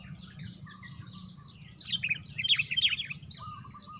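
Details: Sooty-headed bulbuls in a four-against-one fight near a bird-trapping lure: softer chatter swells into three loud, harsh chirp bursts, then lower short notes, with a faint hum throughout.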